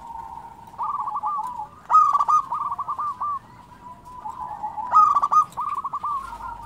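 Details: Active local zebra dove song: two loud, stuttering trilled phrases about three seconds apart, with quieter bubbling coo runs between them.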